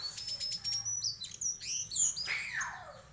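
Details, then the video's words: White-throated flycatcher singing a varied song: thin high whistles repeated rapidly, then sliding notes and a descending whistled phrase, with a faint low hum underneath. "Sikatan kerongkongan putih bunyi variasi"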